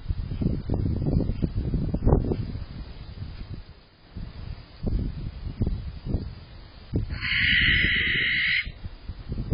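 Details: Barn owl inside a nest box on March 20th, calling for a mate: one harsh, hissing screech held about a second and a half near the end, preceded by rustling and thumping from movement.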